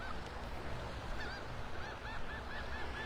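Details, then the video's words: Several gulls near a sandbar at Delnor-Wiggins Pass State Park, North Naples, Florida, calm morning around 7:35, 27 April 2025, screech with harsh arching squeals about once a second in the distance over a steady low rumble of surf and wind. "There's a little piece of a sandbar out there. You can hear some seagulls out there"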